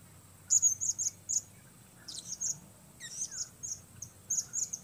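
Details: Blue-crowned hanging parrot used as a lure bird in trapping, calling alone: very high, sharp, shrill chirps in quick clusters of three or four, broken by short pauses, over faint low background rumble.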